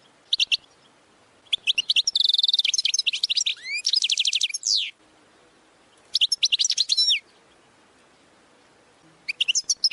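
A European goldfinch sings bright, tinkling bursts of rapid twittering and buzzy trills with quick liquid notes, separated by short pauses; nothing else is heard.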